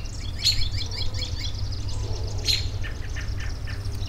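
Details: High, sharp bird chips at intervals, linked by faint twittering phrases, set against an even low hum in a recording meant for relaxation.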